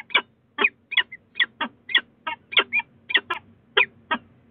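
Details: Late-evening exchange between Peregrine falcons at a Brighton nest box on Sussex Heights, February 2018: a steady series of harsh, chattering notes, sometimes doubled, roughly every quarter to half second, in a quiet background.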